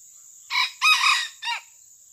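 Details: Wild Sumatran red junglefowl drawn in by trappers, recorded on a Samsung A7 phone. It gives a short, harsh three-part crow: a brief opening note, a longer rough middle section and a clipped final note. A steady high insect hum runs throughout.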